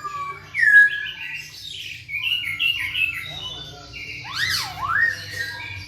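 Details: Masked laughingthrush (poksay Hongkong) singing energetically, played to spur other birds reluctant to sing: loud, varied whistled phrases with slurred rising and falling notes, a steeply swooping double whistle near the end, and a faint low hum beneath.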